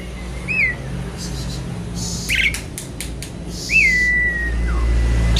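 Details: Javan pied starling singing loudly with fill-in phrases, noisy as it seeks a rival; two clear whistled notes, the later one a long slurred whistle gliding slowly down, with short clicks and rasps between and a steady low hum underneath.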